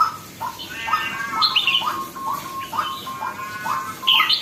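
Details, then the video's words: A red-whiskered bulbul, or jambul, newly getting into lively voice, repeats short rising chirps roughly every half second, with higher squeaky notes at intervals. "sora burung jambul baru nak galak"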